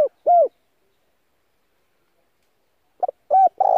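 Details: Spotted dove used as a decoy to excite and attract wild doves: a falling coo ending one phrase, then silence and the beginning of the next, with short notes leading into a rolling coo.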